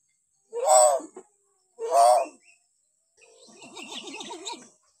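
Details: Hill myna sound variations for training young mynas: two loud, hoarse, low-pitched calls about a second apart, followed by a softer wavering, warbling phrase.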